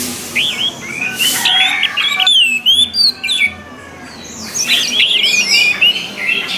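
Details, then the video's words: An orange-headed thrush sings a fast, rambling run of clear whistles and sweet slurred notes, high-pitched and nearly unbroken, with brief pauses between bursts; the song is used to train other orange-headed thrushes to sing freely. "SUARA ANIS MERAH AGAR CEPAT GACOR"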